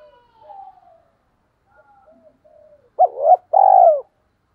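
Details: Calling spotted dove used as a lure for wild doves. Faint, soft, drawn-out notes come first, then two loud, low, hollow coos close together, the second long, throbbing and slightly falling.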